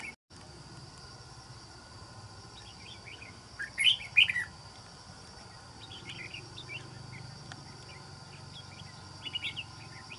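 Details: Red-whiskered bulbul, a wild-caught captive decoy bird for trapping, prized for its island-forest voice, gives a loud cluster of chirpy warbled notes midway, then softer scattered twittering phrases, with a constant machine-like whine behind.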